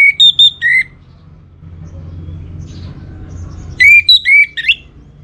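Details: Orange-headed thrush (anis merah) kept by a bird keeper in Singaraja, North Bali, singing a lure song: a quick burst of whistled and slurred notes near the start, a low hum and quiet gap, then a second bright phrase.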